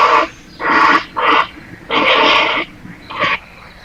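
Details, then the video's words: A grey heron gives five harsh, rasping croaks in under four seconds, each a hoarse burst under a second with short gaps between; such calls are heard near water. "No, czyli tak jak słyszeliście, takie odgłosy, jak słyszycie gdzieś nad wodą, to są czaple."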